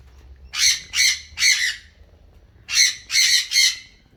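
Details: Wild galah (Eolophus roseicapilla) visiting a backyard in Australia to feed on seeds: harsh, screechy squawks, three in quick succession, a pause, then three more.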